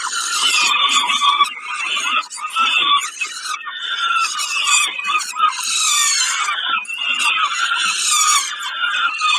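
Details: Peregrine falcon during a snack at Kawęczyn, 20 May 2022; rough screeching calls pour out in dense bursts, shrill and strained, with few pauses.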